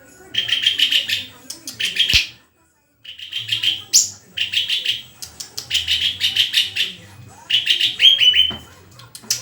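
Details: {'caption': 'Long sequence of White-rumped shama song: repeated rapid rattling phrases of high notes with a sudden click, a short silence, then more chattering bursts.'}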